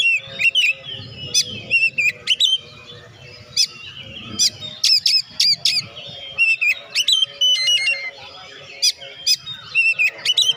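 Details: Oriental magpie-robin singing strongly, recorded to encourage idle magpie-robins to sing; clusters of sharp chips and whistled slurs come in quick runs separated by brief pauses, a low hum in the background.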